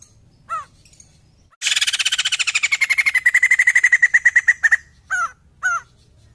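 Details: White-crested laughingthrush in vigorous song, used to prompt other birds to sing: a few downslurred whistles, then a long rapid rattle of harsh pulsed notes that settles into an even chatter before more slurred whistles.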